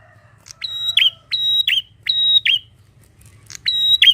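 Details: Bar-winged prinia, called prenjak locally, singing loudly in a garden: ringing, strident whistled notes with a short lead-in, given in phrases roughly every 0.7 seconds with a pause, over a low rumble.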